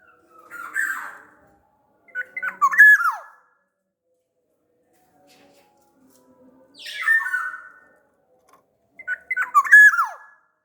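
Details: Sumbawa black-naped oriole used to coax other orioles into song, giving fluty whistled phrases with steep falling slurs alternating with harsh nasal calls, plus faint low background sounds.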